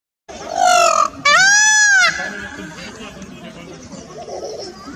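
A peacock gives two loud, nasal, wailing calls, the second longer and arching in pitch, followed by quieter background rustle and faint distant sounds.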